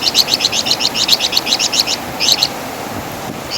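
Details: Flamboyan bird, known in West Java as Wergan Jawa, recorded as master song for training songbirds; loud, rapid, buzzy chattering notes in fast bursts, each note a quick double stroke, with a short pause before a second, shorter burst.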